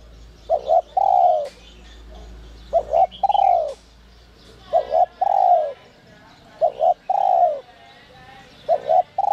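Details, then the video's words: Spotted dove, the 'giọng còi' (whistle-voice) type, calling to provoke wild doves. Phrases of two brief notes followed by a longer, downward-sliding coo repeat about every two seconds, against soft high-pitched twittering. "Chim cu gáy GIỌNG CÒI te te kích bổi cực sung, giọng nhạy bổi kích cu gáy bổi nhanh gáy"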